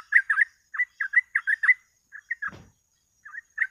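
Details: Yellow-vented bulbul (trucuk) singing rapid, lively 'ropel' phrases used as a lure to draw other birds: clusters of short bubbly notes in uneven bursts, broken once by a dull thump midway.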